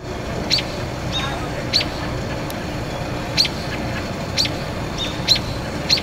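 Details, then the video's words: An American robin gives an alarm call of six sharp, high, clipped notes spaced about a second apart, over a steady low rumble like distant traffic. "American Robin (Turdus migratorius) - Alarm Call"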